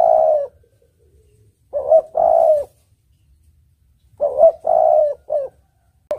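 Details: Clear spotted dove cooing meant for luring birds: phrases of a rising double coo and a long sustained coo, with a short added note, spaced by quiet gaps of about two seconds.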